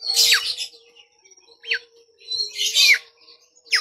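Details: Bimoli singing as a lure for trained birds: rough, buzzy high bursts alternating with short downward-slurred whistles, repeated about every second, over a faint steady hum.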